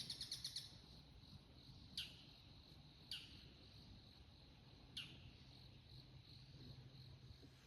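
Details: Bull-headed Shrike giving its high-pitched autumn takanaki, a territorial declaration, from a bamboo grove in Showa no Mori, Chiba City, Japan, around sunrise on 13 October 2024: a quick run of shrill notes, then single sharp, harsh notes spaced one to three seconds apart.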